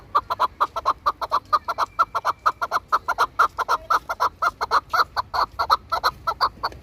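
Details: Chukar partridges kept for hunting and fighting in Tajikistan, giving loud, harsh chuck notes repeated rapidly, about five per second, in a steady unbroken series.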